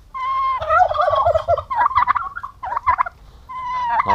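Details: Aggressive male domestic turkeys kept together on a farm in Paraná, Brazil, give loud, harmonic, wavering yelps and gobble-like bursts in quick, broken sequences, pausing briefly before a final rising call.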